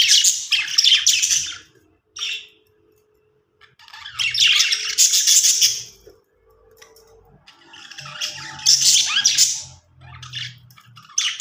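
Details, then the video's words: Several budgies chatter happily in long, warbling, scratchy bursts broken by brief silences, with a faint low hum underneath. "cute budgies making happy sounds"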